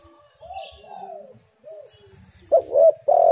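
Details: Tekukur, the spotted dove, used as a lure call. Soft distant coos and a faint high chirping open the recording, then a loud stuttering coo and a long coo close it.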